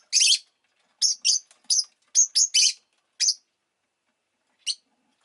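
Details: Pet rosy-faced lovebird (Agapornis roseicollis) producing a quick series of sharp, high-pitched chirps, some doubled, in a lively burst before a final lone note.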